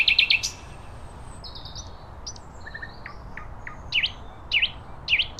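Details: Nightingale song in nature opens with a quick buzzy stutter, continues with thin mid-pitched whistles, and then gives three separated sharp notes that dip and rise again.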